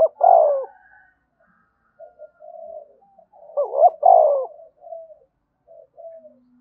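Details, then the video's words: Spotted dove in the 'thúc bổi' prompting style: an abrupt loud coo, quiet muffled notes, then a full phrase of a rising double note and a long falling hoot, trailed by soft scattered coos. "tiếng cu gáy thúc bổi cực sung mở 100% là gáy"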